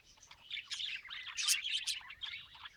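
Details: Budgerigars in a flock chattering continuously, a dense mix of fast warbled chirps and short scratchy notes with a few louder bursts near the middle.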